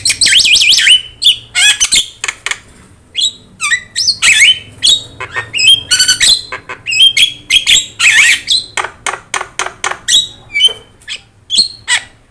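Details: Yellow-eyed Javan myna singing loudly, used to teach other songbirds; a varied stream of harsh rasps, upslurred whistles and clicking notes in rapid bursts separated by short pauses.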